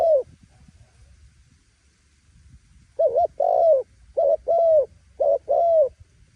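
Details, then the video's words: Loud cooing of a spotted dove: one opening note, a silent pause, then two paired phrases of short and longer low hoots, the longer ones falling slightly. "Giọg này kích bổi gáy gù ầm ầm"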